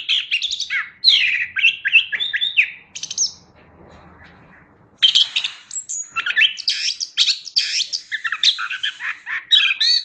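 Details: Chestnut-backed thrush song: a busy, jumbled stream of varied whistles, trills and slurred notes, briefly interrupted by quiet about a third of the way through, then resuming just as fast and full.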